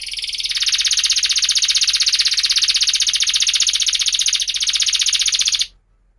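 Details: Canary song used as a lure for young canaries learning to sing: a single sustained, rapid, buzzy high roll pulsing about four times a second for over five seconds, then stopping abruptly.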